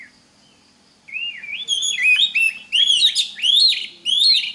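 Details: Oriental magpie-robin song used as a lure recording to teach other magpie-robins to sing: after a second of quiet, loud whistled phrases with rising and falling slurs alternate with harsh buzzy notes, delivered in rapid bursts.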